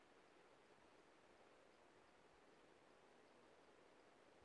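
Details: Only a faint, even hiss like distant running water fills the recording, with no bird or other animal calls.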